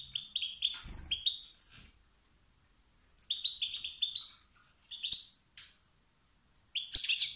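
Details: European goldfinch male making calls that ignite the competitive instinct in other males; clusters of tinkling, twittering notes, a short low knock near the start, then a pause before more bursts.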